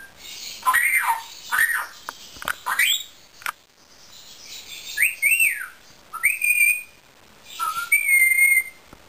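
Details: Indian ringneck parakeet, a pet, mixing loud arched screechy notes with sharp rising whistles and several long, clear, level whistled tones, separated by short pauses.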